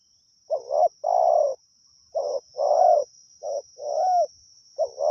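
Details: Wild spotted dove answering during decoy trapping: rapid coo phrases, each a clipped lead note and a drawn-out throaty croo, three phrases in quick succession, a steady high whine in the background.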